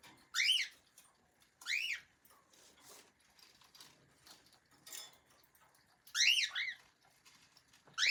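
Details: Pet cockatiel calling in a quiet room: four loud bursts of rising, harsh, whistled screeches, each under half a second, at the start, near two seconds, a close pair around six seconds and at the end, with soft chattering between.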